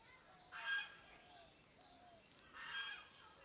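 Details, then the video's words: Parrot giving two harsh, raspy squawks about two seconds apart over a steady low hiss, with faint thin whistles and clicks between them. "natural mithu chirping sound|| parrot chirping"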